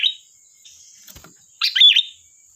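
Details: Lively sooty-headed bulbul used for luring: a brief note fragment, a soft click, then one rich bubbly phrase of quick tumbling notes near the end, over a faint high steady tone.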